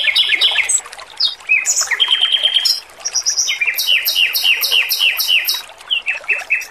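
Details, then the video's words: Energetic male red-billed leiothrix singing sweetly and clearly for a training recording. Quick descending notes, a short buzzy trill, then a long rhythmic sequence of bright repeated slurred notes with high ringing overtones. "MASTERAN BURUNG ROBIN JANTAN GACOR, SUARA MERDU DAN JERNIH"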